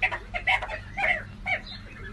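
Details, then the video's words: Sandgrouse giving loud, nasal, gurgling notes in short clusters, a few rising or falling slightly, separated by brief pauses over a low steady hum. "طائر القطا الكدري"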